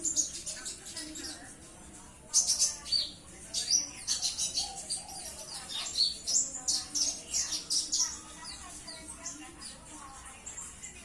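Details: Konin, the purple-throated sunbird, a small nectar-eating bird kept by songbird enthusiasts for its sweet song and ability to copy other birds; sustained run of piercing high chirps and trills, notes repeated several times per second.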